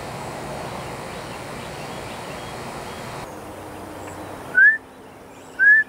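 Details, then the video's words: Male northern bobwhite in Texas calling loudly from a nearby tree, giving its mating call in a whistling exchange with a person; two short, clear upslurred whistles about a second apart, after quiet background hiss. "Sounds of a Male Bobwhite in Texas"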